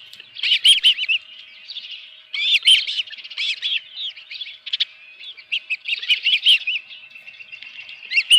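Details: Osprey at the nest with a live fish, early morning, 24 June 2018: softer, slightly distant high chirps in loose clusters, with gaps of faint whistling between.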